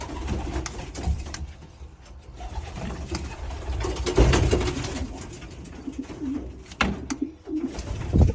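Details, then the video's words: A little pigeon producing odd throat sounds indoors, giving several low rumbling coos spread irregularly over eight seconds, with faint clicks and a constant low hum in the room. "Strange sounds in the throat"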